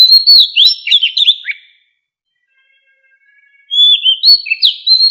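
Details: White-rumped shama song used for voice training of captive birds, in the forest-voice style: two bursts of varied, high whistled phrases with quick slurred notes, separated by about two seconds of silence.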